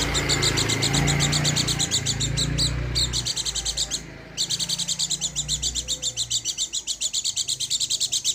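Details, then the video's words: Rapid, evenly pulsed high chirping from a pleci dakun garut white-eye, several notes per second, briefly broken by two short gaps, over a low background hum. "burung pleci dakun garut"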